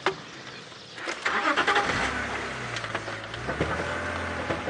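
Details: A vehicle engine starts and revs outdoors with some clicks and knocks, and no animal voice.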